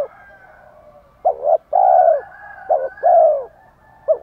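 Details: Cooing of spotted doves, both sexes, meant to trigger cooing in a male: clipped double notes alternating with long smooth slightly falling coos, ending with a brief short note.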